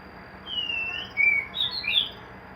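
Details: Caged white-rumped shama kept in a hanging cage, giving a short run of clear whistled phrases, sliding and warbling high, with brief pauses between notes over faint background hum.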